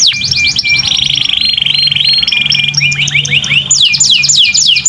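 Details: Canary singing steadily as a master recording for training other canaries: fast repeated downslurred chirps, then a long even rolling trill, then swooping whistled notes, over a low constant hum.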